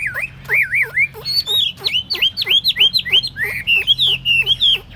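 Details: Chinese hwamei, a tame caged songbird on a tabletop, pours out a steady sequence of clear looping whistles, each note swooping down then up, repeated in fast succession with brief bright flourishes.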